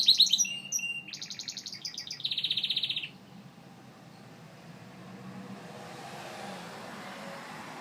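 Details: Gloster canary song: sharp high chips lead into two bursts of a rapid, buzzy, rolling trill over the first three seconds. The bird then falls silent, leaving a soft low room noise.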